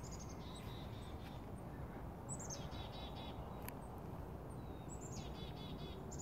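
A chickadee gives three bouts of its call: thin high introductory notes, then a quick run of buzzy, repeated dee notes, over a steady low rumble.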